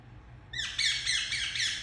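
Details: Indian ringneck parakeet, a household pet, breaking into a sustained stretch of loud, harsh squawking halfway through, the calls running together with wavering pitch.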